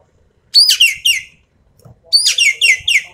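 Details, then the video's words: Javan pied starling firing a full tembakan phrase, two quick volleys of three to four harsh, buzzy, downward-sweeping notes with a faint lower whistle beneath, clear and close. "BURUNG EKEK KELING SUARA FULL TEMBAKAN"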